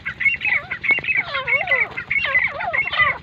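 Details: Pakistani grey francolin (teetar) giving loud, overlapping, ringing phrases that rise and fall, repeated steadily and densely for the whole few seconds.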